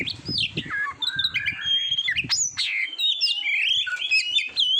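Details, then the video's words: Continuous Oriental magpie-robin song for training contest birds: lively mix of long clear whistles, falling slurs and quick chirps, with faint low rumbling behind the first two seconds. "SUARA KICAUAN BURUNG KACER TERBAIK"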